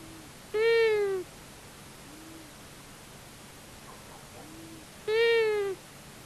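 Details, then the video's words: Recorded by a nest camera at a common buzzard nest in Tiszavasvári, Hungary, on March 23, 2022, where a male and female long-eared owl visit: two loud wheezy falling calls about four and a half seconds apart, separated by quieter low notes. "Long eared owl Male and Female visit the nest"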